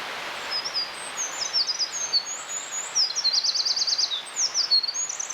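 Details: Wild Eurasian wren singing a loud, very high, fast song of sharp whistled notes and a rapid buzzy trill near the middle, then more tumbling phrases, over a steady soft background hiss.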